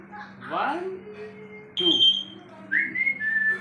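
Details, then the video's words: African grey parrot kept as a pet, talking and whistling indoors: a low tonal glide, then a sharp rising whistle and a high clear whistled phrase, with a steady low electrical hum throughout. "Grey Parrot Talking | Grey Parrot Talking Video | African Grey Parrot"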